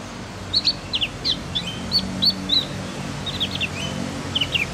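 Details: Javan White-eye, also called cucak gentong, learning its sounds: a lively string of short, high, sharply rising and falling chirps, several per second with uneven spacing, over a low rural background hum.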